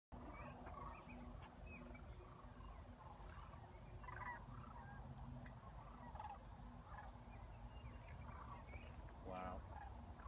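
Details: Several sandhill cranes at Creamers Field, Fairbanks, Alaska, give rolling, rattling bugles that overlap in bursts throughout, over a steady low rumble of wind or background noise.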